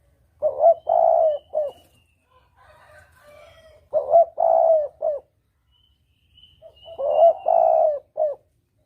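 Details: Spotted dove lure recording used for hunting, double-kuk style: three evenly spaced husky coo phrases about three seconds apart, each with a short lead note, long coo and clipped ending, with faint higher chirps between.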